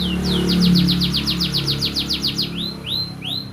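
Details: Caged canary trained with bar-winged prinia song, delivering a rapid run of about fifteen sharp downslurred high notes, then a few slower rising swept notes, over a low steady hum.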